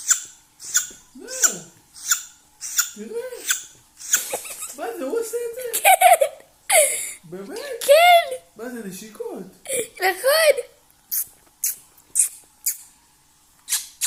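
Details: A conure named by the owner as making kissing sounds gives sharp, smacking kiss sounds, roughly one every second or two, with squeaky, chattering up-and-down notes crowded into the middle.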